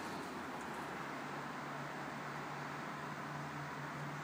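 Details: Steady road traffic hum with passing vehicles and no animal calls heard.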